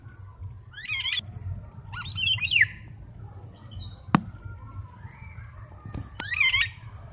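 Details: Golden orioles, a mated pair near a window, exchanging calls: rasping, nasal squawks repeated three times over seven seconds, each with a twisting, buzzy quality, plus a sharp tap and low background noise.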